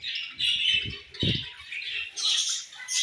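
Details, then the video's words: Colorful budgerigars giving harsh, scratchy chirps and warbles in short bursts, with a low thud near the middle. "Colorful Charming Budgies Chirping Sounds"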